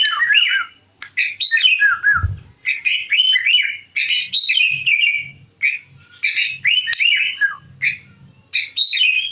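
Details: Sooty-headed bulbul kept as a cage bird in central Jakarta in full song, delivering a near-continuous run of rich, rolling whistled phrases that dip and rise, with faint low thumps beneath.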